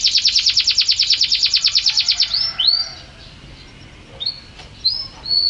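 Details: Champion canary in full, vigorous (gacor) song: a fast, even trill of about fifteen bright repeated notes, then a few rising whistled upslurs separated by short pauses.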